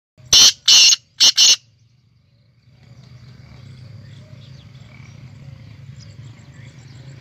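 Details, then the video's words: ['Black francolin (kala teetar) calling: four loud, harsh, grating bursts in quick succession within about a second, the last two closely paired, followed by quiet rural background with faint distant birds.'] "Kala teetar calling"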